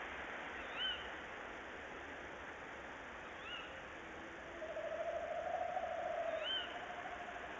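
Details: Tawny owl, a male on a branch and then a female in a nest box, recorded on 22 February 2018 around 06:43; faint harmonic notes at intervals, then a longer wavering low hoot near the end over steady background hiss.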